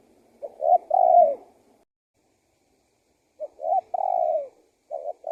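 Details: Spotted dove used to lure wild doves, giving two short coos then a long falling coo, a silent gap, the phrase again, and the start of a third.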